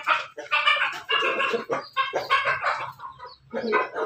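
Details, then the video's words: Backyard chicken, a Pelung, Bangkok and Ketawa cross, crowing; rough harsh drawn-out calls broken into several pulsing bursts with brief gaps. "ternak ayam di halaman belakang hasil persilangan pelung bangkok ketawa berkokok"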